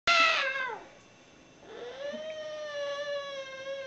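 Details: A 13-year-old pet mealy amazon parrot gives a loud, harsh, descending harmonic squawk. After a short pause it holds a long, steady, nasal, meow-like tone indoors.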